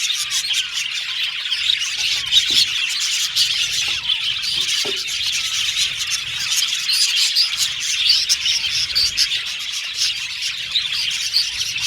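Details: Budgies in a cage singing and chirping as they play: continuous shrill chirps and warbled twitters from many birds, plus a few lower knocks and taps in the first half.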